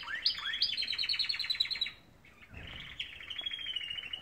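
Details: Morning canary song made of two rising upswept whistles that lead into a fast rolling trill, then a short pause and a second high, steady buzzing trill.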